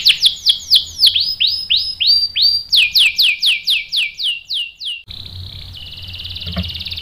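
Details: Singing canary used to provoke others into answering with rolled song: a run of loud, repeated, downward-swooping whistles, a second faster series, then a steady high ringing tone over low background hum.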